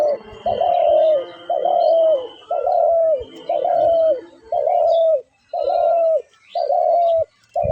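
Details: Dove calling: a steady series of about eight low, mellow coos, each slightly falling at the end, repeated roughly once per second with short pauses between, clear and close, with faint background sounds.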